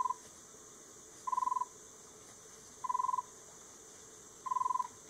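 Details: Red-rumped tinkerbird in Semliki National Park, Uganda, gives short, hollow, low trills of quick pulses, one burst about every second and a half, over a steady high insect hum.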